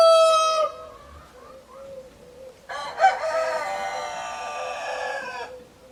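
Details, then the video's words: Two rooster crows: the end of one fades out at the start, then a second, longer crow of nearly three seconds, rough and harmonic-rich, over low background murmur. "Chicken sounds, Roosters crowing sound effects"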